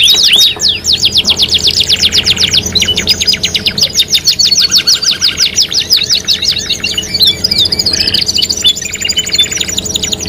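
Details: Canary song played as a lure to set off singing: long continuous run of fast, sharp repeated notes in rolling trills, interrupted by brief buzzy chattering passages and whistled phrases, with faint low hum behind.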